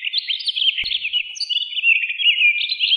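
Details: Townsend's solitaire song: a continuous rapid warbling stream of high, jumbled, tumbling notes without pause, bright and fluid, with a single faint low thump early on and an otherwise clean background.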